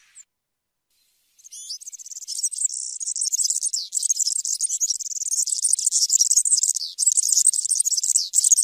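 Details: European serin song: a faint note, a pause, then a few upslurred chirps launch a long, unbroken, high, sizzling jingle.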